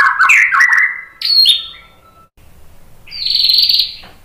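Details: White-rumped shama song used as a lure to provoke other shamas into answering: loud slurred whistles falling from high to mid pitch, a brief sharp note, a pause, then a sustained buzzy high phrase.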